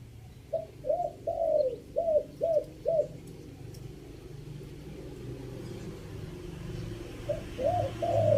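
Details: Decoy cooing of a Chiang Mai spotted dove in three-note style: six hollow coos with a long third note, a quiet gap over a low rumble, then another phrase beginning.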